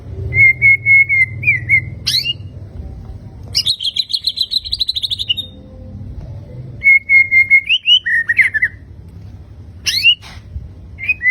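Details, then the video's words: White-rumped shama, fighter type, alternating level whistled phrases with a dense buzzy rattling trill lasting about two seconds, then more whistles, slurred notes and quick upward flicks. Low background hum. "BURUNG MURAI BATU FIGHTER TEMBAKAN MEWAH"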